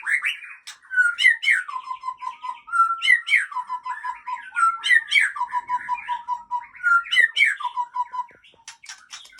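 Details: Aceh white-rumped shama, called anak balak, singing rich varied phrases: rising whistled slurs followed by quick runs of clear, even descending notes, the pattern repeated several times with rapid chips between.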